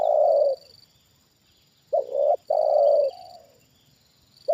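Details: Spotted dove kept as a trained decoy, reacting to a wild bird on its second descent: loud low coos, a clipped double note then a long sustained hoot, repeated, with a faint high whine between.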